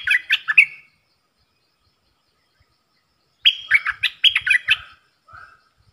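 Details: Caged bulbul trading song with wild birds on 03/10/2564: two bursts of fast, tumbling whistled and chirped notes separated by a pause, a soft low whistle after the second, faint low thumps beneath.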